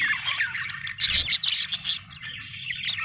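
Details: Budgie in a happy mood, giving a quick burst of bright, buzzy chirps and clipped squawks in a rapid, uneven rhythm, then a softer rolling warble at the end.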